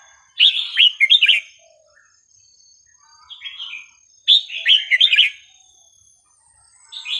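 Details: Red-whiskered bulbul song played to teach young birds, a melodious style with non-repeating phrases: two bursts of rich warbled, slurred whistled notes about four seconds apart, with a quieter phrase between and a steady faint high tone.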